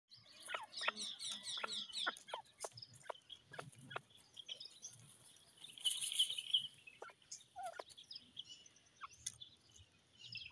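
Grey francolin giving sharp, high, clicking notes repeated about three times a second, with a brief louder burst of shrill calls midway.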